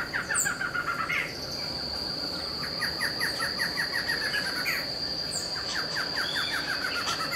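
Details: A pair of Barred Antshrikes in a backyard in Itupeva, São Paulo, give overlapping series of nasal notes that speed up into a rolling chuckle, repeated several times, over a steady high insect drone.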